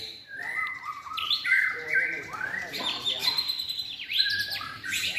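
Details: Contest-trained caged white-rumped shama in its third season singing clear, sliding whistles, some rising and some falling, mixed with short trills and chirps in a lively, unbroken sequence.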